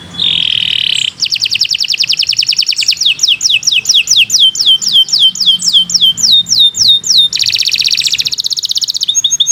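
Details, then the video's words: Canary singing a tutor song: opens with a harsh nasal rasp, then a fast trill, a series of descending whistled slurs, and another rasping burst near the end. "Kicau Burung Kenari 142 II LUAR BIASA GACOR PANJANG Cocok untuk Masteran"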